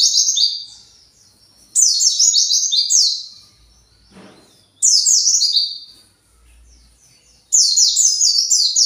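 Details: Four separate bursts of fast, high, falling twitter notes, roughly every two to three seconds, from a kept white-eye agitated and searching for its colony; one faint knock between phrases.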